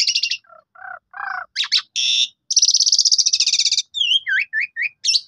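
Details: Asian pied starling delivering a lure song to get other pied starlings singing their full range. Rasping bursts and lower croaks lead into a long rapid rattling trill, then a series of hooked, swooping whistles.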